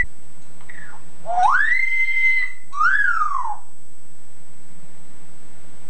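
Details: Caged Yellow-naped Amazon parrot, male, mimicking a woman's singing voice with a Scouse accent, from an old tape recording indoors: a low sweep rising into a long sustained whistled note, then a falling slurred note.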